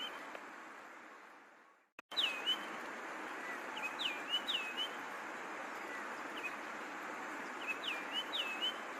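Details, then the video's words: A longclaw (genus Macronyx) gives short, high, thin whistled notes with a quick downward flick, in loose groups of two or three, over steady broadband hiss. "Macronyx - Longclaws Bird"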